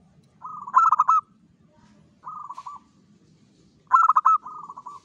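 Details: At dawn, a local zebra dove sings busily: a purring roll leads into a bright stuttered string of coos, a lone purr follows, then the roll-and-stutter phrase returns, with soft low rumbling behind.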